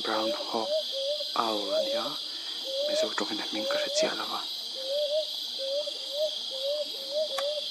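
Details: A Brown hawk-owl at Vamaitai gives soft, low, upward-inflected hoots, about two a second. A person talks over the first half, with a steady insect hum behind.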